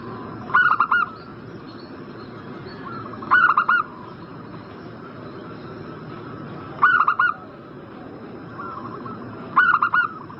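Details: Zebra dove, locally perkutut, sounding a lure call for a bird in breeding condition: four evenly spaced bursts of quick stuttered coos, each under a second long, roughly every three seconds, against a steady hissing background.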